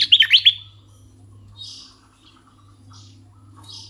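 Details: Red-eyed bulbul decoy bird's song: a loud, rapid cluster of bubbly warbled chirps in the first half second, followed by softer, scattered faint notes and a low steady hum.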